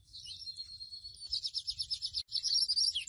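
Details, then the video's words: Chestnut-bellied seed finch, called mochuelo or blue silver-beak, singing a tutor song for teaching pet birds: high warbled phrase, then a run of about four clipped notes per second, closing in a brief bright twitter. "CANTO DE AVE MOCHUELO O PICO DE PLATA AZUL - CANTOS PARA ENSEÑAR A TU AVE MOCHUELO"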